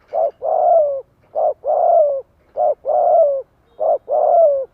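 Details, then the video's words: Dove used as a decoy to lure wild birds, repeating a two-part call four times at a steady pace: a short coo followed by a longer, slightly falling coo, loud and close. "Tiếng chim cu gáy kích mồi cực chuẩn - Bổi nghe là gáy theo."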